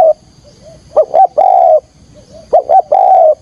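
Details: Decoy spotted dove giving a 'thúc gù' calling style to lure wild doves toward a trap: two deep coo phrases, each a short hooked note, a second note, then a long level hooting coo, with faint murmured coos between.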